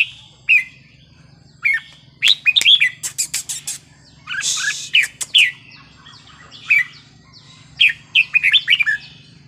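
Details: Red-whiskered bulbul in wild-style (pleng pa) song, meant to excite listening birds: cheerful whistled phrases repeated at short gaps, a run of sharp clicks and a brief rushing noise in the middle, then more bright warbling notes.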